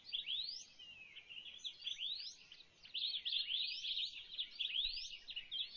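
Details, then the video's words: Swallow-tailed bee-eaters recorded in the Kalahari of Botswana in September 2014; a near-continuous chatter of high, quick upslurred chirps and rolling trills, dense in the second half, with little else audible. "Swallow-tailed Bee-eater"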